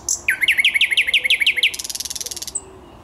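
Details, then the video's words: Thrush nightingale song recorded on 10 May 2021: a fast run of about a dozen loud, sharply descending whistled notes, then a dry rattling trill, ending with a thin high note. "Słowik Szary"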